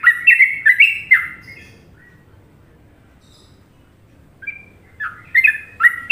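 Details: Sooty-headed bulbul from Indonesia singing in the Trucukan style: a quick burst of bubbly, chortling notes that rise and fall, then about three seconds of quiet before another lively run of notes starts up.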